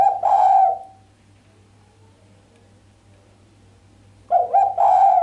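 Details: Sharp 'mbekur' coo of a female island collared dove, no 'kuk' at the end, said to excite the male. The end of one low purring coo, about three and a half seconds of quiet, then another rolling two-part coo; faint low hum throughout.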